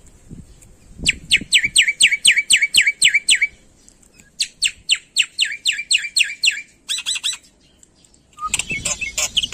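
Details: Black-winged myna in full, vigorous song rich in mimicry: two fast runs of sharp, down-slurred whistles pour out in quick succession, followed by a few buzzy notes and a brief burst of rougher chatter at the end.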